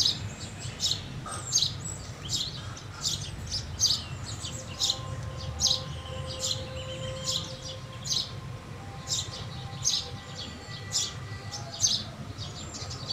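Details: Long series of high house sparrow chirps, fast and irregular, with steady faint tonal hums in the background.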